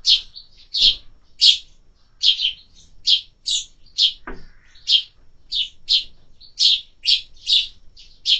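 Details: Sparrows being fed in summer, chirping steadily: sharp, bright notes repeated about twice a second for the whole stretch, with one brief low thump midway.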